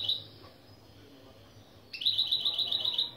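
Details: Goldfinch-canary mule opening phrase for teaching: brief end of a trill, a quiet gap, then a bright, rapid run of repeated chipping notes for over a second. Low hum in the background.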